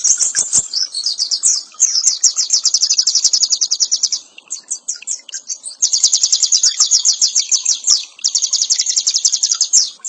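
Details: Oriental white-eye singing in the ngeriwik nyembur style for a masteran tutor recording: long bursts of rapid, high, buzzy trilled notes, broken by a brief pause near four seconds, then two more sustained chattering runs.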